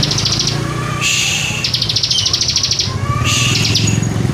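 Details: A bar-winged prinia in strong, aggressive song gives high, buzzy rattling trills in bursts of about half a second to a second, over a steady low hum.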